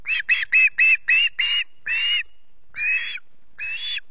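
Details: In the early morning at a Loch Garten nest, a hungry young osprey gives about eight quick rasping screeches that slow and stretch into longer, drawn-out cries with gaps between.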